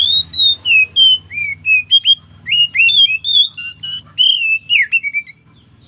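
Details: Oriental magpie-robin giving a relaxed, loud ngeplong-style song with variations in the afternoon: a continuous run of clear, high whistled notes rising and falling, with a burst of rasping, buzzy notes near the middle.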